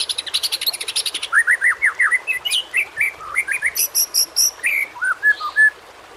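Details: Murai batu, the white-rumped shama, singing for training other shamas: fast high rattling notes, then a chain of short looping whistles and scattered chirps.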